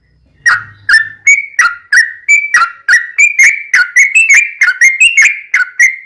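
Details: Lively bulbul song, Yellow-vented, in the 'ropel panjang' long-roll style played to make other birds sing back; after a faint low hum, crisp liquid whistles tumble out in quick succession, each note dipping or climbing in pitch.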